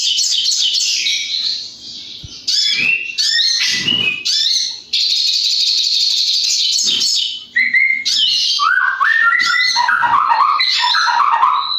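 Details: White-rumped shama, a kept songbird, in erratic song: rapid varied phrases of high twitters and trills, then lower clear whistled notes dropping in pitch, with brief pauses between bursts.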